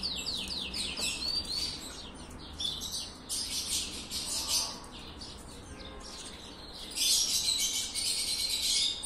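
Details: Excited copper-coloured canary in breeding condition pouring out dense, loud song: rapid downward-sweeping trills giving way to buzzy rolling tours and bright chattering phrases, with no pause, over faint low background noise.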